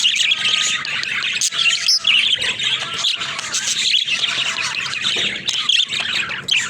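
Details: Pet budgies keep up a dense, continuous warbling chatter of high chirps and scratchy notes, with brief gaps, throughout.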